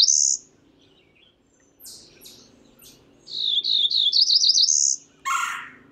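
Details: Cerulean warbler: one full song of rapid, buzzy, upslurred notes climbing to a final high trill, preceded by the tail of an earlier song. Scattered faint chips and other high notes are also heard.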